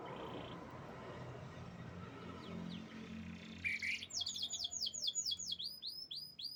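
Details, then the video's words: Champion canary: steady background hiss for several seconds, then a song bursts in with a brief warble and a series of loud, repeated downswept high notes. "Burung Canary Juara Top"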